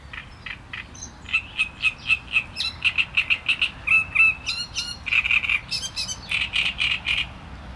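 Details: Great reed warbler song, a long vigorous sequence of grating, croaky repeated syllables delivered in fast rhythmic bursts, several notes doubled, the phrases shifting in tone and staying loud throughout.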